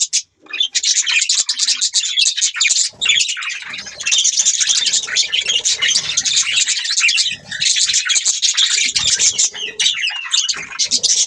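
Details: Budgies chirping together: an unbroken dense wall of rapid buzzy warbling and squeaky chirps lasting over ten seconds, with only short dips in loudness.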